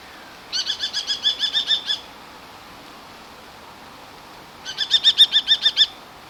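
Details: Common kestrel giving its hunting call while hovering: two rapid runs of shrill, evenly repeated ki-ki-ki notes, about eight to ten per run, separated by a pause of a few seconds, with constant background noise.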